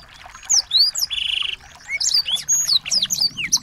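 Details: Several small birds sing as a training track to set off a white-rumped shama; high, clear chirps and slurred whistles, with a half-second buzzy rattling trill early on, then more rapid tweets.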